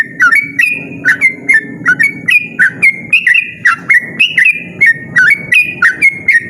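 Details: A yellow-vented bulbul delivers a rapid 'ropel' song, loud and sustained, made of punchy whistled notes that hop between pitches several times a second over a steady low-pitched background hum.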